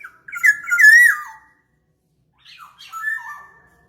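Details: Black-naped oriole lure sound: two rich, slightly nasal whistled phrases with wavering, falling notes, the first loud and drawn out, the second softer and broken after a short silence; otherwise quiet.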